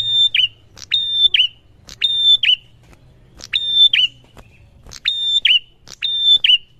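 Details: Prinia singing in reply to another prinia. A clean, high, level whistled note follows a brief click and ends in a quick falling flick. The phrase comes in pairs and repeats steadily over quiet background.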